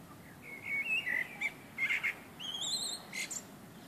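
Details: Common blackbirds singing on a summer evening: mellow fluted whistles around a steady middle pitch, then higher rising whistled notes and short squeaky twitters, over a quiet hiss of background noise.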